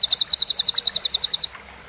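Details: Cililin song used as training material for contest songbirds: a rapid run of about fourteen sharp, high, clipped notes in about one and a half seconds, then quiet.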